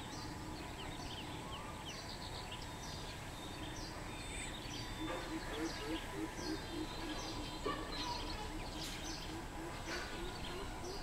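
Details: Greater coucal recorded on 13 June 2020, giving a short run of deep, hollow hooting notes in quick succession midway through, under busy chirping of smaller birds and a steady high-pitched hiss.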